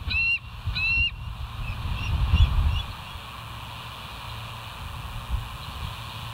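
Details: Two sharp, high, thin whistled squeals from a bald eagle, close together at the start, then softer scattered notes, over low rumbling background noise at the West End nest live cam, 08/04/2023, 05:22.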